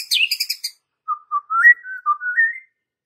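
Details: White-rumped shama song used as a calm but sharp lure to provoke young and juvenile wild fighter birds: a quick burst of harsh, high chattering notes, a pause, then a run of clear whistled notes sliding upward.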